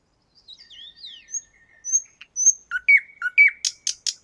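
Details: Nightingale song from a Moscow park, the 50th Anniversary of October park, taken on a shotgun microphone: soft drawn-out whistles and a long steady tone lead into loud repeated swooping notes and a burst of dry clicking strokes.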